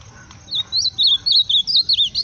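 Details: Ultramarine grosbeak singing loudly: a rapid run of high, twisting, warbled whistled notes, about eight quick phrases in under two seconds, clear over a quiet background.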